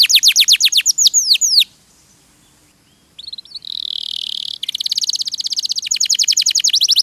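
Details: Canary (kenari) song for training songbirds: downslurred sweeping notes, a quiet gap, a rough buzzy warble, then a long fast high trill of repeated notes.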